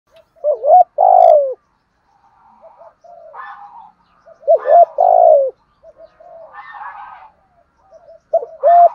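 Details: Spotted dove giving a lure coo in the low-toned style: two phrases, each a clipped note, a longer downslurred coo and a final short note, separated by softer, rougher higher-pitched cooing.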